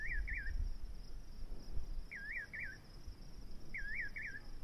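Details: Nightjar giving wavy double whistles that rise and dip, three pairs spaced roughly two seconds apart, with a steady low rumble underneath.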